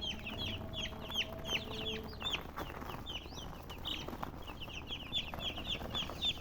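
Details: Chorus of chicken chirps, a steady stream of short, high, downslurred peeps from several birds at once over a faint hum.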